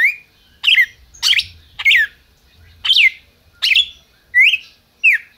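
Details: Red-crested cardinal kept by a licensed Brazilian breeder, calling and singing: seven loud, clear whistled notes, each sliding down sharply, delivered roughly every 0.7 seconds, with a faint low rumble underneath.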